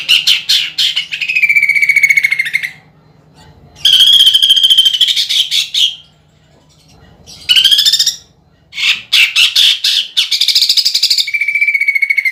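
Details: Greater green leafbird, a caged songbird, singing a lure song with mimicked woodpecker, kingfisher and fighting sparrow phrases. Harsh, fast rolling bursts alternate with drawn-out buzzy notes, in three loud bouts separated by short pauses.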